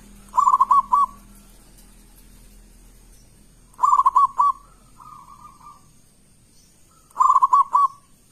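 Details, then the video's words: Loud local zebra dove singing persistently to draw other doves into song: three phrases of quick, rolling coo notes with crisp clicks, spaced a little over three seconds apart, with a softer trailing coo between. "Perkutut lokal gacor suara keras besar - pancingan burung perkutut"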